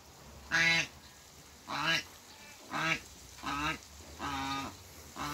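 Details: Pair of African geese on a waterbird farm honking steadily, six drawn-out nasal calls spaced about a second apart, some slightly longer and flatter.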